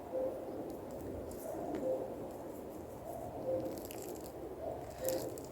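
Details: A distant common cuckoo calling in spring taiga during snowmelt, soft, low hooting calls about every one and a half seconds, half buried under crunching footsteps and rustling.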